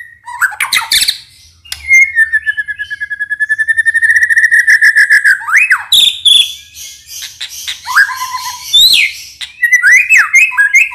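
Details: White-rumped shama lure song used to provoke rival shamas into singing: a long, steady trill of rapid repeated whistled notes, then varied sweeping whistles and chattering phrases.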